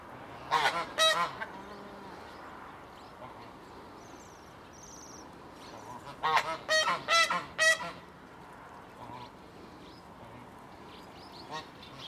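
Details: A pair of Swan geese (Anser cygnoides) newly moved to an open-air enclosure give loud, nasal honks in two quick bursts, two or three then four or five calls, over a steady background hum with faint high chirps.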